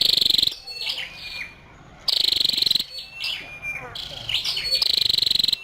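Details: Female scarlet-backed flowerpecker calling in high, buzzy, rattling bursts, with quieter thin whistles and chips in the gaps and a short pause midway.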